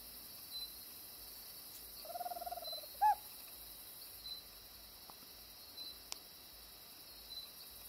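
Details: Tropical screech owl, a resident bird of Costa Rica, giving a short purring trill of rapid pulses followed by a sharp hoot-like note, over steady high-pitched insect noise.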